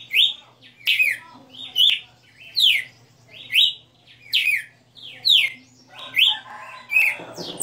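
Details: Kept Red-cowled cardinal, known locally as galo de campina, singing in the 60 notas style: loud whistled notes sliding down and then levelling, repeated about every eight-tenths of a second in a steady phrase, with a faint low hum underneath.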